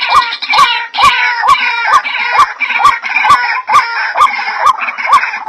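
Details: White-breasted waterhen sound used to attract birds: regular upswept notes repeating about twice a second against a thick wash of loud, overlapping squealing and chattering calls.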